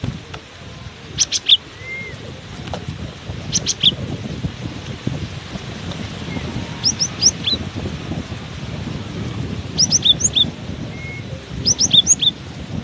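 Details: Cinereous tit singing persistently in strong wind: short bursts of high, sharp whistled notes alternating up and down, in phrases of three to five notes every two to three seconds, over loud low wind rumble.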